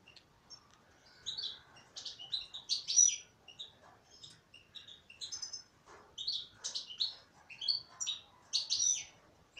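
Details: Female European goldfinch singing a fast twittering song of high, tinkling notes and short buzzy trills in bursts, with brief pauses around two and six seconds; background otherwise quiet.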